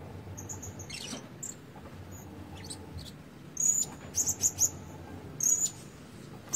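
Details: A Blue-crowned Hanging Parrot kept as a decoy, red-breasted, plumage incomplete. Soft rustling at first, then a quick run of shrill, high squeaky notes followed by another lone squeak.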